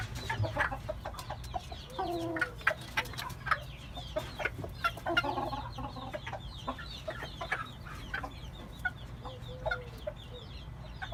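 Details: Oriental game bantam giving short, low, harmonic clucking calls in two bursts, near the second and fifth seconds, over steady high chirping from small birds and a low background hum.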